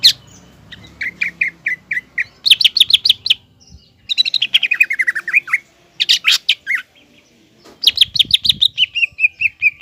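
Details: Energetic green leafbird song meant to make a young speckled leafbird aggressive. Bursts of rapid piercing chips alternate with falling whistled phrases and short gaps, ending in a long steady stream of notes.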